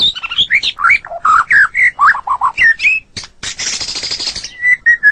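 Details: White-rumped shama song from a master recording used to train songbirds: loud, varied run of rich whistled and warbled phrases, with a harsh rasping burst midway, ending in a few clear repeated whistles.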